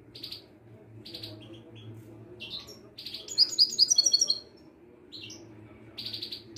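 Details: Caged Widani European goldfinch from Morocco at a Casablanca bird market. Repeated short buzzy chirps are followed by a bright run of tinkling notes, over a steady low hum.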